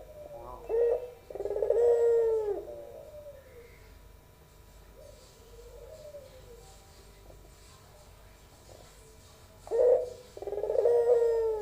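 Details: Young albino puter, or Barbary dove, of the pelung type: two hoarse bursts and a long falling coo, a quiet gap with soft distant coos, then the same rough opening and drawn-out coo again.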